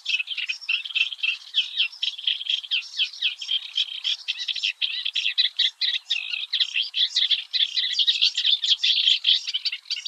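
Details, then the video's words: Singing Eurasian reed warbler recorded early in the morning at the Oostvaardersplassen in the Netherlands; rhythmic, scratchy chattering with repeated two- and three-note motifs running continuously, interspersed with thin squeaky notes. "Singing Eurasian Reed-Warbler"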